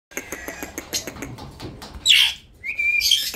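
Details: Indian ringneck parrot giving a harsh, raspy screech followed by a short rising whistle, over steady rapid clicking or ticking throughout.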